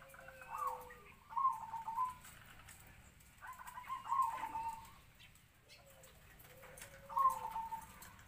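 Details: Decoy zebra dove, locally bred, about three to four years old, singing its medium-pitched kwor kwor; rolling coo phrases come roughly every three seconds, with a lower, steady whistled note from another bird between them.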